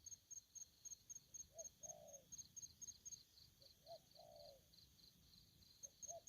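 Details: Spotted dove in an aggressive mood, heard at a distance. Soft low coos come in pairs, a brief note followed by a drawn-out one. A steady high ticking runs about four times a second behind them.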